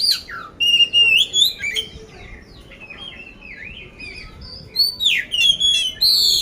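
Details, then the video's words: Oriental magpie-robin from Magelang, Indonesia, kept caged and prepared for contests: strong whistled phrases and harsh notes, a quieter stretch of a few seconds, then a new burst of loud whistles and chatter. "poci gacor isian kasar"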